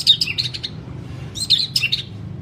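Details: White-rumped shama in a song-training recording: two short bursts of high, scratchy chattering twitters with bright whistled accents, separated by a second of quiet, over a low steady hum.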